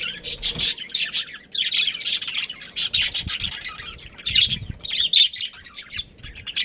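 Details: Budgerigar breeding pair at home, chattering in quick high chirps and rasping warbles that come in clustered bursts about every half second, several birds overlapping, with soft low knocks underneath.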